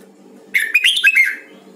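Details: Voice training of a Huế red-whiskered bulbul, a lively phrase of several linked whistled notes with rolling, looping pitch changes, about one second long, against a soft constant low hum.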